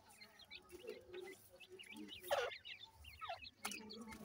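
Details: Grey francolin young, Punjab, Pakistan, giving short rising and falling peeps in loose series, plus a loud broadband thump and low soft notes.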